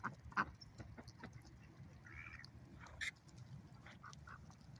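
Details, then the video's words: Ducks at a lake give short, nasal quacks at irregular intervals, with one longer honking call midway, over a low rumble of background noise. "Ducks at the lake making loud noise."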